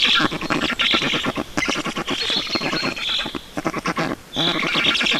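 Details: Estonian Black storks begging during a feeding, 5 June 2019: harsh, rhythmic chattering pulses under wavering squealed notes, with a brief lull near the end before the noisy begging resumes.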